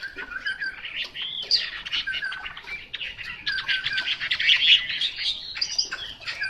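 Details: Chinese hwamei pouring out a continuous, energetic song of rapid trills, rolling chatters and clear whistled notes, rising and falling in pitch throughout with barely a pause.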